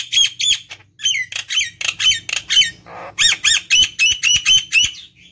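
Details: Nias hill myna in full vigorous song, used as a lure to stimulate other birds: loud, piercing, rasping notes repeated about four per second, with one short pause and a soft hiss midway.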